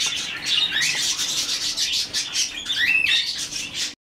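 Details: A rescued, hand-reared budgerigar chick gives a continuous raspy, hissing chatter broken by a few short rising squeaks.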